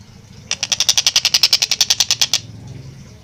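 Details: Long-tailed shrike singing actively, recorded clearly at a fast, tight pace for training kept songbirds in Indonesia: one burst of about sixteen rapid, raspy, evenly spaced notes lasting nearly two seconds, then quiet with a soft low rumble.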